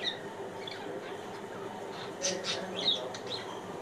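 A budgerigar gives short, sharp chirps and warbled squeaks over a soft background hum.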